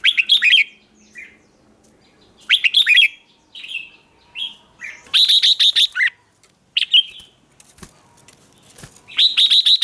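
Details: Red-whiskered bulbul song used as a lure to call in wild birds: bursts of bright, fast warbled notes, some rising and some falling, come in short phrases roughly every one to two seconds with quiet gaps between, and no other clear sounds.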